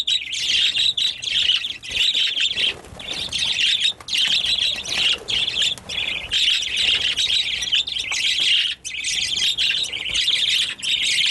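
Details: Birds making loud noises: sustained, shrill chattering from many voices, pausing briefly around the third second, then continuing in long churring bursts.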